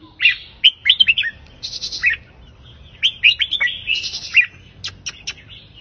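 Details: Red-whiskered bulbul song in the counted 3-4-5 phrase style, played to excite listening birds: two clear phrases of rapid, lilting whistled notes, each burst holding several rising-falling notes, with thin high chips around them.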